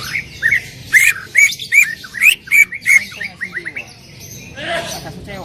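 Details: Loud, actively singing greater green leafbird in 'tembakan' style, firing a burst of sharp, ringing whistled notes in quick succession that trail off into fainter, rapid chirps.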